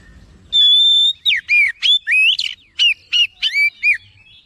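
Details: Agitated oriental magpie-robin in full response song: a long steady whistle followed by quick varied whistled slurs, rising swoops and short sharp notes in rapid sequence.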